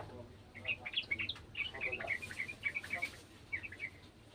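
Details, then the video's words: Sooty-headed bulbul from a garden, answering an untrained bird: a fairly soft stream of quick, bright chirping notes across most of the clip, over a noisy hissing background. "TRUCUKAN KEBON ikutan bunyi burung trucukan bahan"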